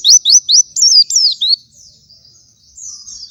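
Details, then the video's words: Morning white-eye song offered as a master for teaching other white-eyes: a short burst of six sharp, high, upslurred whistles in quick succession, then soft faint twittering. "Gacoran suara pleci di pagi hari sangat cocok buat masteran pleci lain"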